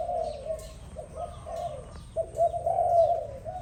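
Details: In the morning a dove gives low, smooth coos, a short phrase, a pause, then a longer sustained coo, with faint bird chirps in the distance.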